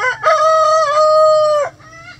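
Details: Domestic rooster crowing in a sanctuary chicken coop on a sunny day, with chickens scratching around: one full crow, a quick rising start leading into a long level held note lasting over a second before cutting off, over a faint low hum.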